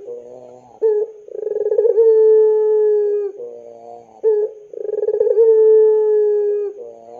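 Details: Lure call of a long-cooing puter pelung dove for young birds. Two phrases, each with a sharp opening note, rapid throbbing pulses, and a long smooth low coo held for about two seconds.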